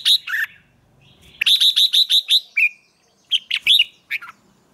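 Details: Red-whiskered bulbul in morning singing training: a bright note and lower slur, a pause, then six rapid, evenly spaced high chirps ending in a drop, followed by several scattered sharp notes.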